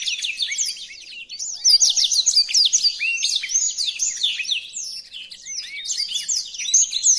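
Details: Blackthroat singing as a tutor recording: a quieter start, then a loud, busy chatter of quick high chirps and whistled slurs, roughly three to four notes per second, irregular and continuous to the end.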